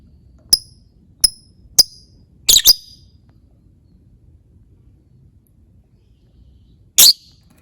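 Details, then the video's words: Lovebird sounds played as a lure to get other lovebirds singing: three evenly spaced piercing high chirps, a quick harsh double note, a pause of several seconds, then one more rasping shriek; nothing else audible. "Suara Burung lovebird untuk Pancingan lovebird"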